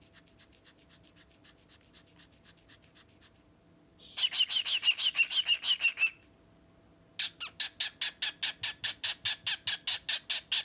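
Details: A 24-year-old male rescued cockatiel gives rapid bursts of harsh, raspy pulses in three short bouts, the silly noises he makes when touched on the face.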